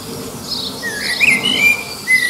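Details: Common blackbird near Liverpool singing in competition with distant birds to attract a mate; enhanced sound with a short run of clear fluty whistles, one rising and falling, then a sustained level note.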